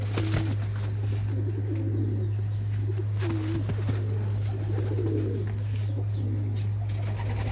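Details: Shirazi pigeons at a pigeon market in Damietta, Egypt, give soft, rolling low coos over a steady electrical hum.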